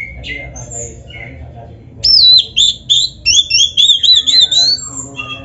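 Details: Rival-style song of an Oriental magpie-robin, played so caged magpie-robins answer: brief high whistles, then a loud series of short, wavering, rising whistled phrases repeated in quick succession.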